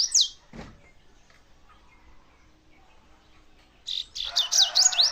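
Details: Double-collared seedeater singing: after an opening high slurred note, a single knock and a long quiet pause, a lively phrase of rapid swept whistles runs about two and a half notes per second, with a rustling hiss underneath.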